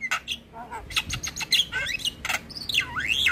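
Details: Javan myna singing energetically as a tutor recording for young mynas: harsh buzzy squawks mixed with clear whistled notes that slide up and down, in quick irregular bursts.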